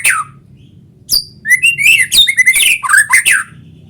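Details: White-rumped shama song meant to make other shamas sing along: a sharp opening note, then a loud continuous run of rich whistles mixed with harsh chattering elements.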